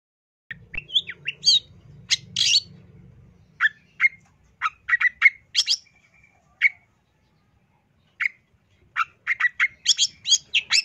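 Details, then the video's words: Long-tailed shrike song with varied filling notes: short, sharp chirps and whistled slurs spaced irregularly, a faint low hum early on, then a quicker run of high, scratchy notes near the end. "Kicau Suara Cendet No #1❗Masteran Cendet FULL Isian"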